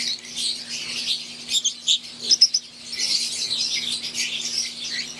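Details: Wild-type green Fischer's lovebirds in an aviary with Euwing lovebirds: dense twittering flock chatter, with a few louder clipped squeaks standing out near the middle, and a faint low hum.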